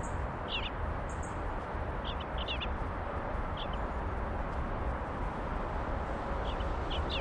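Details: Eastern bluebird fledglings right before leaving the nest, giving brief descending high chirps, often doubled or tripled, repeated every second or so against a steady low-pitched rumble.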